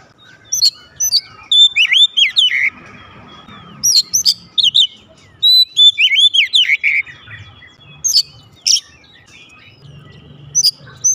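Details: Caged oriental magpie-robin at home replying loudly: rich whistled, slurred notes and high squeaky chips in quick runs, several bursts separated by brief silences, faint low background hum.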